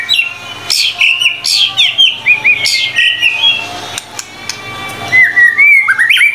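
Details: Energetic white-rumped shama song for training captive birds: repeated bursts of sharp notes, each followed by warbled whistles, about two per second, then softer sliding whistles ending in a rising phrase.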